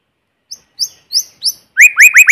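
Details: A White-rumped Shama sings in forest: four soft, high upslurred whistles, then a louder, quick run of ringing rising notes, against a quiet background free of other noise.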